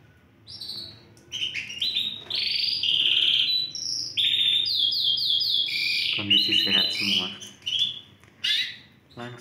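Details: Caged Yorkshire canaries of Romeo FOI colouring, four birds kept in Indonesia, singing vigorously on 20 December 2020: bright rolling trills and buzzy high tours, fast repeated notes and sweeping whistles with short pauses between phrases.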